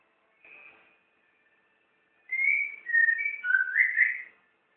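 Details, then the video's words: White-rumped shama (murai batu) kept caged in Jakarta, Indonesia, on its first day: a soft opening whistle, a pause, then loud rich whistled notes that dip and rise in quick succession for about two seconds, with no other sounds. "the longest singing from my murai batu"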